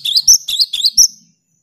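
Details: A cinereous tit in full song, used to prompt silent caged tits to sing: four quick bright whistled double notes, high and slightly rising, then silence.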